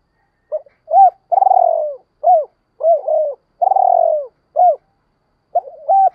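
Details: Spotted dove calls edited for enticing wild doves: a looping series of short hoo notes alternating with two long throaty, vibrating coos that droop at the end, clean and close.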